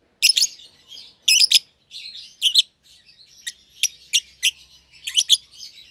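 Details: Two young lovebirds, euwing green opaline and albino, paired in a single cage: bursts of shrill high chirps and quicker clustered squeaks, with soft chatter filling the gaps.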